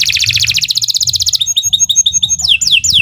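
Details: Canary song suited for tutoring: a rapid, even, high trill lasting over a second, then a string of quick clear whistled notes, ending in descending slurred whistles repeated about three times a second.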